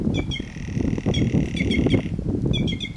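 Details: White-naped jay calling freely in the wild: a run of sharp, ringing notes, then a long, steady harmonic tone, then more quick clipped notes, over constant low rumbling wind-like noise.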